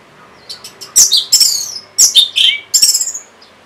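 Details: Orange-headed thrush song for prompting silent caged birds, in four loud bursts of strong, rich, chattering and slurred high warbles. Softer single notes open the phrase.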